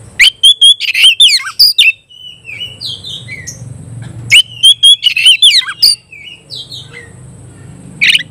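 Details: Oriental magpie-robin firing konslet style song at a rival: two loud bursts of rapid chips and looping whistles about four seconds apart, with soft gliding whistles in between.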